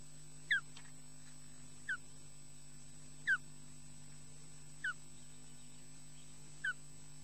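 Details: Female osprey returning at a nest in Scotland to take over from the male: short downward-slurred whistled notes repeated every one to two seconds, about five in a row, over a steady electrical hum.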